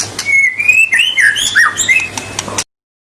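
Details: White-rumped shama (murai batu) in full, persistent song meant to rouse rival birds: a sustained clear whistle, then quick looping, rising-and-falling slurred phrases with a few sharp chirps, ending abruptly after about two and a half seconds, over a faint low hum.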